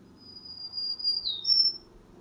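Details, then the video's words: A Black-throated Green Warbler sings a distinct, complex song of several thin, high buzzy notes, a drawn-out level phrase that dips and then rises at the end, over a faint low hum. "I'll play for you right now the song of a black-throated green warbler."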